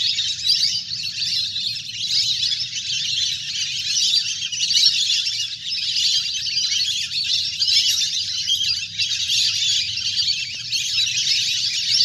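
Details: A large flock of ducks playing in the water, recorded in nature; a dense, continuous chorus of high, sharp whistling and chirping calls that overlap without pause throughout.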